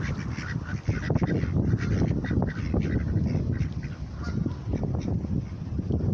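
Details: Hungry ducks calling noisily, a dense overlapping chorus of harsh, nasal quacks and honking notes repeated rapidly throughout, with low rumbling background noise.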